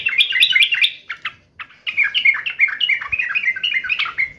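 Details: Sooty-headed bulbul in fighting mode, giving a fast agitated stream of slurred, bubbly whistles with one brief pause.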